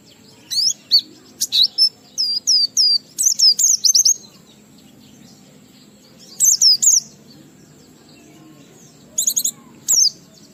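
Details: An Oriental white-eye, singing ngalas with riwikan fill to trigger song in other white-eyes, gives short clusters of crisp, high, ringing slurred notes, about a dozen quick notes at first, then two brief bursts after long quiet pauses.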